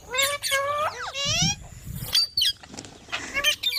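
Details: Green parrot giving loud, ringing harmonic calls that slide and bend. A fast rising sweep comes before low muffled sounds in the middle, with scattered sharper notes later.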